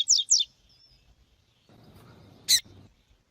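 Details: Double-collared seedeater (coleiro tui-tui, Sporophila caerulescens) in a "tui tui" song recording with a female, used for song training: two quick, high, descending sweeping notes, then a brief sharp high note after a pause, over low rumbling background.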